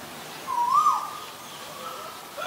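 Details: Asian koel giving a single rising, whistled note that swells and then fades quickly, over a faint, steady background hiss.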